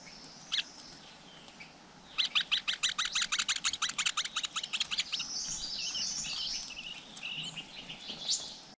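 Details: Wild flowerpecker nest with young: after a couple of isolated high ticks, a quick run of sharp, evenly spaced chips for about three seconds gives way to thin, high twittering.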